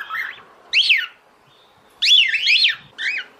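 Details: Calling a male to mate, a female cockatiel gives a few loud wavering whistles, swooping up and down, separated by nearly a second of near silence.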